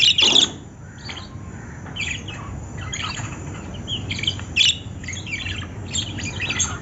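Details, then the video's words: Lovebird squawks, a loud harsh burst at the start then quieter chattering chirps and a second sharp squawk near the middle, with constant low hum underneath. "love birds sound"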